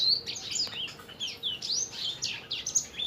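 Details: Sanger bird in full song for caged-bird training: rapid, varied twittering of high sweeping and falling notes that runs without a break.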